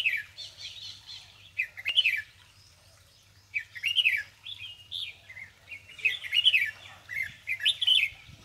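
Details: Bulbul calling after taking a bath at Palia Khurd: bursts of bright, warbling, slurred chirps, two to four notes each, repeated in groups with short pauses, over a faint steady low hum.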